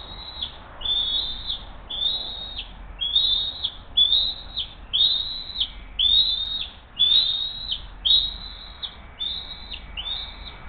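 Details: Bald eagles on the Hays nest camera, 20 June 2023 morning, mother bringing the second fish and feeding the young: a steady series of about eleven high, piercing whistled notes, roughly one per second, each ending in a brief downward flick.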